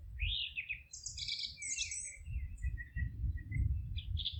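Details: Wild birds singing in a forest: a rising whistled phrase, then bright high chirps and short trills that repeat and overlap through the clip, over a steady low rumble.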